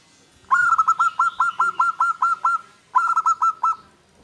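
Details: Zebra dove of local stock, singing to provoke rivals or attract a mate, delivers a long run of round, steady coo notes, then a shorter second phrase after a brief gap.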